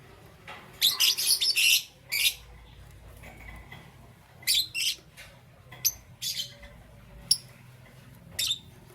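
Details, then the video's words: Pet lovebirds of Parblue Euwing Green Opaline and Green Opaline mutations chirping in the morning; harsh, high, rapid chatter bursts around a second long, then scattered single squeaky chirps, over a quiet low hum. "Lovebird Chirping Sounds"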